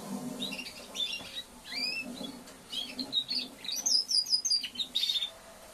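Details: Practising young male Timbrado canary, post-moult: soft, halting phrases of short chips and down-slurred whistles, building to a rapid series of high, evenly spaced notes near the end, over steady low room noise.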